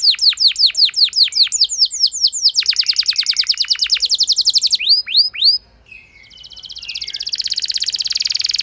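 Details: Lure canary song meant to prompt a less eager canary into long singing: rapid series of falling notes speeding into a dense roll, a few looped sweeps, then a soft buzzy trill building again.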